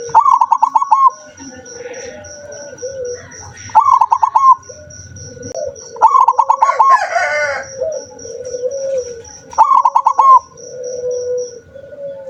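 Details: Zebra dove, said to sing only rarely, repeating rhythmic pulsed coo phrases about every three seconds, with a rooster crowing once in the middle and soft low coos and ticking between phrases.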